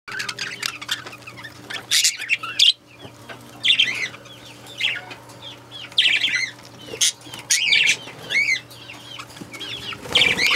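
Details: Lutino budgie chattering with quick, scratchy warbles and curved chirps repeated in short bursts, some sharp clicks, over a steady low electrical hum.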